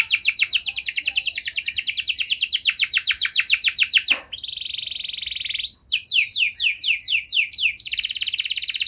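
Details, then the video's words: Canary singing a long, varied song meant to prompt silent canaries to sing again: fast trills of repeated high notes, a sudden drop into a steady whistled tone, then rapid rising chirps and another dense trill. "Kenari Gacor Durasi Panjang Cengkok Istimewa! Efektif Buat Memancing Kenari Macet Biar Gacor Kembali"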